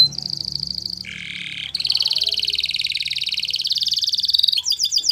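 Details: Yellow canary singing a continuous chain of trills, a lower buzzy roll giving way to a long bright high trill, ending with quick separate notes; a faint low hum underneath.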